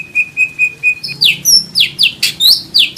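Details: White-rumped shama from Indonesia in a master recording with full 'tembakan' material: four even whistled notes, then loud downslurred whistles given in quick succession.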